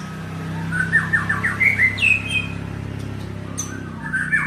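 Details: White-rumped shama, locally murai batu, singing a quick run of rising whistled notes, then a longer sweeping phrase and a few later notes, over a continuous low engine-like hum.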